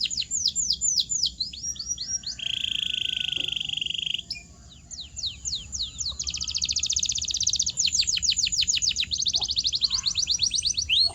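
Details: Training song of a canary meant to get silent birds singing: rapid repeated slurred notes, a steady buzzy high tour near two seconds, a brief pause, then long fast rolling trills and sweeping whistles.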